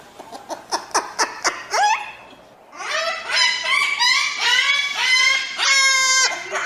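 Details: Crested cockatoo with a quick series of short, clipped squawks. After a brief pause come long, grating, harmonic screeches that swell and hold, growing more strident toward the end.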